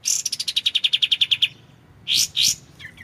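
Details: White-shouldered triller, kapas tembak, in a clear tutor recording for training magpie-robins: a rapid even trill of about fourteen high notes, then a pause and two harsh rasping bursts with a faint chip afterward.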